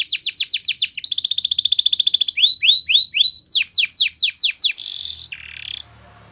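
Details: Belgian canary singing for training, alternating falling whistled notes with a fast rolling trill, looping slurs and a short buzzy ending.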